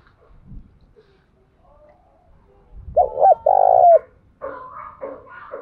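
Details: Tame decoy spotted dove calling: one cooing phrase of two short hoots and a longer rough note with a falling tail, amid low thumps and a burst of mixed background noise afterward.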